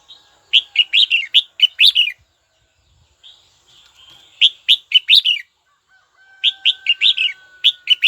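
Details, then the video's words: Caged red-whiskered bulbul singing to call a rival: three bursts of quick, bright, warbled notes, each phrase a rapid string of rising and falling whistles, separated by short pauses, with a faint steady thin tone behind. "Chào mào gọi bổi tố chất nhất"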